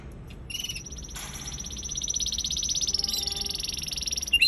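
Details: Young canary singing: a high, fast buzzy trill held for several seconds, getting steadily louder, after a few short high notes, ending in a sharp chirp.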